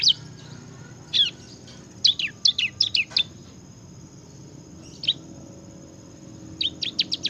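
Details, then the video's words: Bar-winged prinia (ciblek) giving scattered bursts of high, sharp chirps and short downslurred notes, separated by quiet pauses, as part of energetic gacor ngebren singing. "kicau burung ciblek gacor ngebren"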